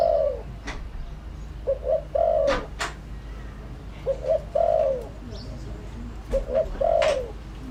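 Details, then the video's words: Spotted dove used as a lure, repeating its cooing phrase three times: two quick short coos followed by a longer falling coo, with sharp clicks and knocks between phrases. "tiếng chim cu gáy mồi đủ bài gọi thúc gù giọng hợp Bổi kích bổi nhanh nổi"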